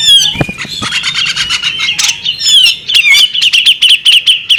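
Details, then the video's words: Alluring calling from a female bearded magpie robin: quick high chirps run together with sliding whistles and short buzzy bursts, a few dull knocks near the start. "the alluring sound of a female bearded magpie robin"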